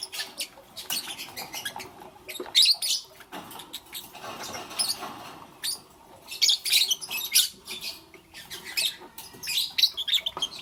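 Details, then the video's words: Lovebirds chirping in the morning, a steady stream of rough, high twittering and squeaks with brief louder bursts throughout. "Lovebirds Chirping Sounds"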